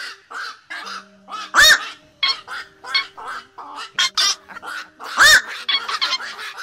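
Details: A night heron flock call recording used as a lure for night trapping: a steady stream of rough, croaking calls from many birds, with two especially loud, sudden squawks and a faint hum.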